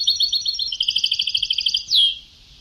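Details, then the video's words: European goldfinch singing an antique Sebta-style phrase: a rapid rolling series of tinkling twitters followed by one drawn-out, descending slurred note that fades away. "Canto del jilguero antiguo شريط تغريد سبتاوي قدييييييم روعة"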